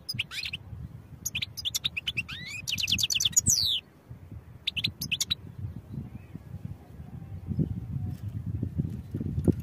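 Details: European goldfinch song for training: several seconds of bright, quick twittering with rapid trilled runs and a buzzy note, then the bird falls silent while a low rumbling background noise continues.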